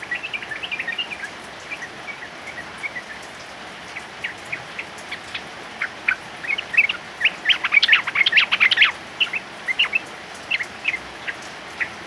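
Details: Male yellow-vented bulbul in heavy rain gives scattered bright chirps, then a dense burst of quick bubbly notes midway, followed by more spaced chirps, all over constant rain noise.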